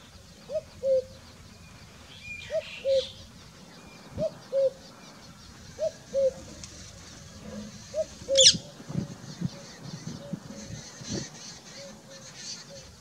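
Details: A common cuckoo calling in Sikar, Rajasthan, India, in June 2021, gives its two-note 'cu-coo', a higher note then a lower one, about every two seconds, with faint calls of other birds and a sharp knock.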